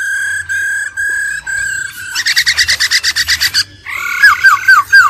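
A laughingthrush gives four steady whistled notes, then a fast buzzy rattling series, and ends with bright downward-slurred whistles.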